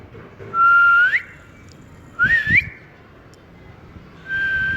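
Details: Pet talking ring-necked parakeet enjoying cool weather gives clear whistles: a long steady tone sweeping upward at the end, a short wavering rising note, then another level whistle starting, over quiet background.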